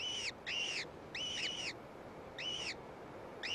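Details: Gyrfalcon chicks at a cliff nest after a gray female brings a meal; loud, slightly rasping arched squeals, several doubled, with short pauses and a steady hiss behind.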